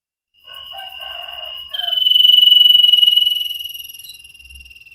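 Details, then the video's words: Common iora, local name cipow sirtu, on a masteran training recording: a long, steady, high pulsing trill lasting several seconds, with softer chattering notes underneath at the start. "Burung cipow sirtu masteran Gacorrr banget"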